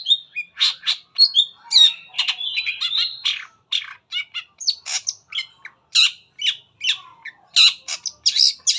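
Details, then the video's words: Long-tailed shrike in energetic lure song meant to set other shrikes singing: dense, varied chattering with whistles, buzzes and harsh notes delivered almost without pause. "PANCINGAN CENDET APAPUN CEPAT BUNYI"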